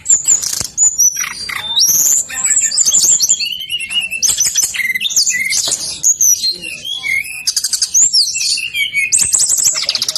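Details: Brown-chested jungle flycatcher singing persistently, used as a lure to get reluctant birds of its kind to sing: a fast, varied run of high whistled slurs, sharp chips and buzzy trills, with steep rising and falling notes packed closely together.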